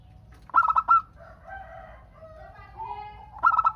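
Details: Zebra dove of local stock singing to get other doves to answer: a burst of quick, clipped coos, a stretch of softer mixed cooing and warbling, then a second stuttering burst.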